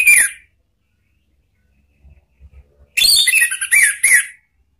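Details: Orange-headed thrush, lure song for training cage birds, "ngeplong" and "ngeriwik" style. A brief whistle is followed after a pause by a dense, chattering phrase of quick, rising and falling whistled notes.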